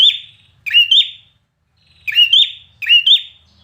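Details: A red-whiskered bulbul trained for singing contests delivers three loud, clear whistled phrases. Each starts with a sharp stroke and ends in a bright double flourish, separated by short silences.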